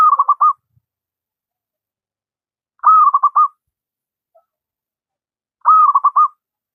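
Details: Zebra dove from the wild, local stock, singing as a master for doves that will not sing: three stuttered coo phrases roughly every three seconds in quiet surroundings.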